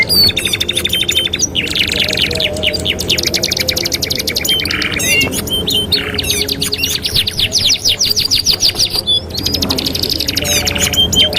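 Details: Canary song used as a master recording for training canaries: fast repeated rolls and trills, buzzy noisy bursts, sweeping slurred notes and brief high whistles, dense and continuous, with a low background hum.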